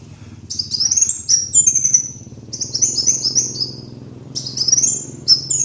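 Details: For luring, a kolibri wulung sunbird gives thin, high-pitched rattling trills in repeated phrases, each rising then running steadily, with pauses between and a low background hum.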